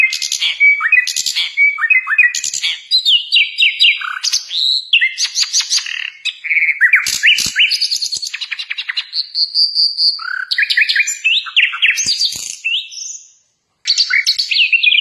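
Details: Sikatan londo, or Nightingale, in rich, varied song: fast chattering trills, sweeping slurred whistles, rattling clicks and a sustained pure whistle, delivered in dense phrases with one brief pause near the end.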